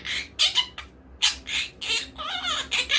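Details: Captive monk parakeet making loud rough squawks followed by a quavering, warbling chatter with wavy tones, several calls packed into three seconds; faint background hum.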